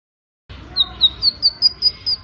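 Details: White-rumped shama 'pancingan' lure song: a steady series of seven short, high, thin notes about one every quarter second, rising slightly, over a low rumbling background hiss.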